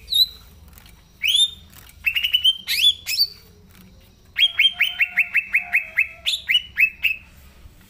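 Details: Green leafbird in full, lively song, natural voice, used as a lure to prompt young leafbirds not yet in song: clear whistled notes near the top, then a fast run of about ten sharp, ringing notes that drift slightly downward.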